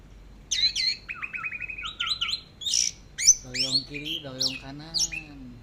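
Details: Orange-headed thrush singing in the teler style, swaying left and right: a run of sharp, high whistled notes and rapid chirps, then a man's voice speaking over further bright, upslurred whistles.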